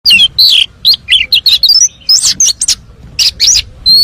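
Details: Oriental magpie-robin, a champion singer, in full song packed with fill-in phrases, played to prompt other birds to sing: rapid bursts of high, varied chirps and twisting whistles with short gaps, the pace quickening then pausing before a final clear whistle.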